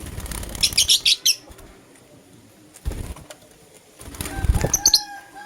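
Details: Lutino lovebird in the morning giving a fast run of shrill, scratchy chirps, then a pause, a low thump and a second chirping burst near the end.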